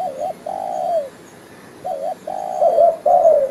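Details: Spotted dove lure call for trapping. A short double coo leads into a longer drawn-out, gently falling coo, then the pattern repeats after a pause. The background is quiet apart from a faint hum.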